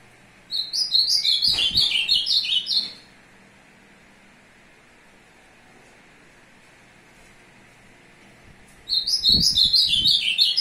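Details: Azulão song aimed at a female, dated 02/06/2022: a hurried, descending warble of high notes lasting about two and a half seconds, then a long pause, then the same phrase starting again over faint low thuds.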